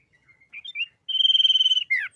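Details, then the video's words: Sooty-headed bulbul tutor recording in the 'isian' style for caged birds: scattered soft chirps, then a steady high buzzing trill lasting about three quarters of a second, and a final falling note. "Suara Burung Kutilang Gacor GARUDA ISIAN Mewah Paling Ampuh Untuk Masteran"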